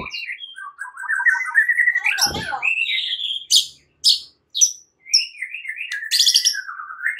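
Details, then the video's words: White-rumped shama (murai batu) song used as a morning lure, meant to teach fighting song: rich, varied rising whistled phrases, slurred notes and sharp high chatters in quick succession, with a brief click. "Pancingan murai batu PAGI HARI dengan suara murai Belajar TARUNG"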